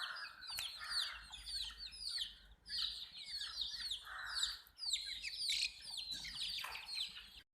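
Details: Chicks of a desi flock drinking water, their bright high cheeps sliding downward in dense overlapping waves broken by brief pauses, with a faint low hum in the background before an abrupt stop.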